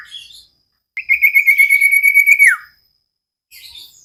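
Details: Common iora kept as a cage bird, in a training recording: a short chirp, then a quick steady trill of about twenty pulses that slides down at its close, followed by softer twittering.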